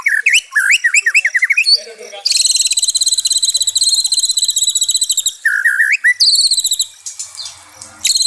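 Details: White-rumped shama singing, offered as therapy for stressed shamas: bouncy looping whistled notes, then a long very fast high trill, a short warbled phrase and another high trill.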